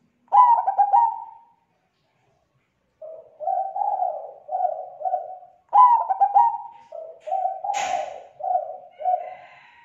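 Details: Zebra dove calling to attract other zebra doves, a voice described as thick, clear and active; two phrases of stuttered opening notes followed by strings of four or five soft repeated coos, with a brief click midway.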